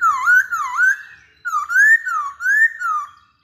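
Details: Fluty looping whistles from a masked laughingthrush, each note dipping and rising in a smooth wave, delivered in two bursts with a short pause between.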